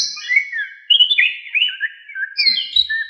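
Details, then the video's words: Orange-headed thrush singing, used as a tutor recording for songbirds: mellow warbled whistles that slide up and down, ending in a higher rising phrase. "KICAUAN ANIS KEMBANG GACOR FULL ISIAN"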